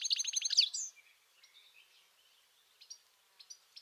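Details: European goldfinch by the Tajo River in Aranjuez, Madrid, Spain, giving a rapid burst of bright, liquid twittering notes, followed by quieter scattered chirps and faint background bird calls.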